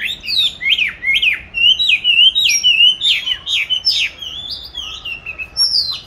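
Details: Oriental magpie-robin raised in a cage since July 2020, hung in an ideal location for song training, recorded March 2021: continuous loud whistled song of quick rising-and-falling notes, varied and fluid.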